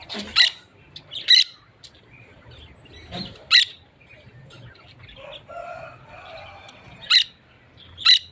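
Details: Parakeets and budgerigars together, producing loud, shrill squawks in short bursts separated by quieter chatter and a brief thin whistle in the middle.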